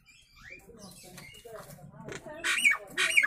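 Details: A Nias hill myna's natural voice, used for training birds: quiet throaty harmonic notes building to two loud harsh broadband squawks near the end.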